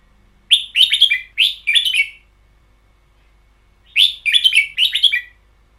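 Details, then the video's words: Caged red-whiskered bulbul song from a recording set of the long doubled style, two bursts of rapid chirpy whistled phrases about a second and a half long, separated by silence. "CD เสียงนกกรง ชุด เบิ้ลยาว"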